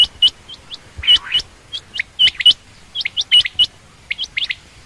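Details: Female quail, common or rain quail, giving a jumbled mix of hooked chirps and softer, slurred notes in uneven clusters, with some clicking noise.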